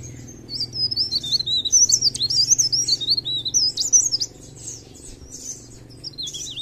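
Mountain leaf warbler pours out a rapid, very high, thin twittering of varied squeaky notes for about four seconds before fading to softer phrases; faint low hum behind.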